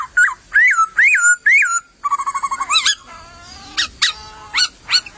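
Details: Laughingthrush singing in the wild in bamboo scrub: a run of four rising-and-falling whistled notes, then a fast stuttering chatter, then scattered sharp whistled upslurs.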